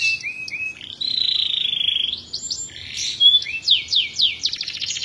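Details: Lively canary song used as a master recording for teaching other birds: arched whistles, a sustained high warbled note, then sharp downward chips and a quick buzzy trill.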